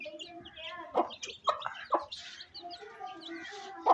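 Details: A mother hen clucks to her chicks while feeding them during rain in a village in Pakistan. Soft, low, harmonic clucks repeat about every half second, over a steady wash of thin, high chick peeps.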